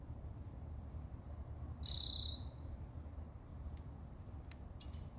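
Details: In Minnesota, a red-winged blackbird gives a single high, thin, slightly falling whistled note, followed by a few faint clicks, over a steady low rumble of wind.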